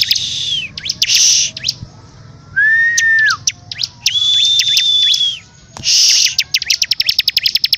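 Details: Energetic bar-winged prinia song mixing harsh buzzy rasps, a held lower whistle that drops at the end, a long flat high whistle, and closing runs of fast sharp ticks.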